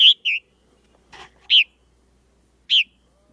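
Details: Purple martins now nesting at a local fill give short, rich, slightly burry keer notes: a quick pair, then two single calls about a second apart, with a soft rustle between.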